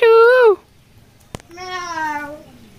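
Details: Talking Indian ringneck parakeet mimicking human speech at the Mirpur 1 bird market, Friday: a loud, wavering, nasal half-second syllable, a pause and a single click, then a longer, softer, slowly falling drawn-out vocalisation.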